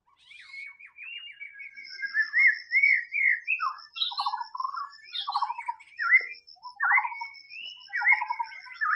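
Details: In the wild, a white-rumped shama sings a drawn-out whistle that slides down, then swooping phrases and low buzzy pulsed notes, roughly one per second, with steady high ticking in the background.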